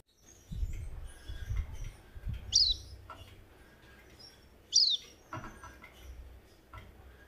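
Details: Javan white-eye (Zosterops flavus), a small white-eye found on Java and protected in Indonesia, answering with its call: two thin, high, quickly falling notes about two seconds apart, softer than related white-eyes, over a low rumble and faint clicks.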